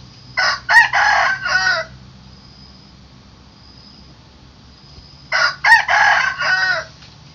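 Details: Two morning crows from a rooster, each about one and a half seconds long, spaced roughly five seconds apart. Every crow is a string of four or five harsh, buzzy syllables, with a faint tone and low hum in the gap.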